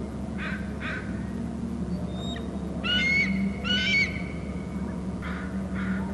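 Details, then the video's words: Bald eagle perched on a favoured tree in its nesting territory on Hornby Island, with a second eagle flying in. Shrill, squealing notes come in short paired bursts, the loudest near the middle, over steady wind and low rumbling background noise. "shrill calls from eagle on babysitting tree; another eagle in from the left"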